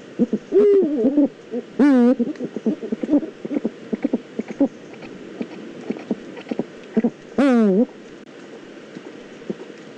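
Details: Pair of Eurasian eagle-owls from the Eifel: three rough, downward-sliding harmonic calls, near the start, at two seconds and near seven seconds. Scattered soft clicks and taps fill the gaps.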